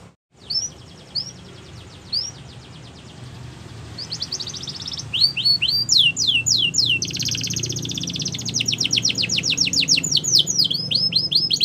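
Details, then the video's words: Canary song used for training: sparse rising whistled notes, then a dense run of fast repeated trills and downslurred syllables, rapid rhythmic tour switching, with a low hum beneath. "Canary's Most Powerful Song For Training"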